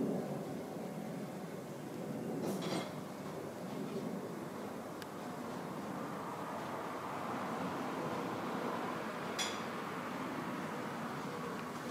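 A steady broadband rumble, like traffic or machinery, with two sharp clicks and no animal calls.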